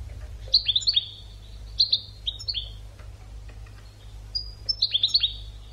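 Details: European goldfinch educational song for training birds: quick bursts of sharp, bright trills and short descending slurred whistles in three spaced phrases, backed by steady low hum.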